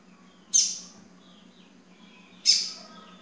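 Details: Yellow-bellied seedeater (coleiro baiano) at 9:20 in the morning on the second day, giving two sharp, high chip notes about two seconds apart over a faint steady low hum.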